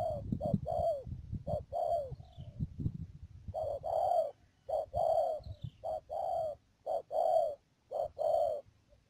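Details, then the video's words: Spotted dove decoy for dove trapping, Mương Điều area of Đầm Dơi, Cà Mau, 12 March 2019: bursts of short and longer husky coos in quick sequences, with low thumping early on and a steady high whine. "BẪY CHIM CU GÁY CÀ MAU .BỔI MƯƠNG ĐIỀU"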